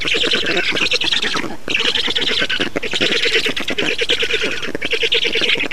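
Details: Black storks at their nest in Estonia, 6 June 2019, during feeding: loud rasping squawk phrases of one to one and a half seconds each, broken by short pauses, with a rattling pulsed quality.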